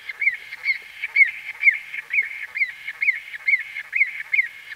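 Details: White-fronted bee-eater heard at close range giving clear, evenly loud arched notes, each a quick up-and-down inflection, repeated roughly twice a second in a steady series.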